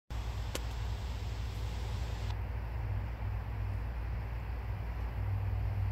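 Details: Steady low engine rumble like a passing vehicle, with a faint broadband hiss and one sharp click near the start; no animal voice.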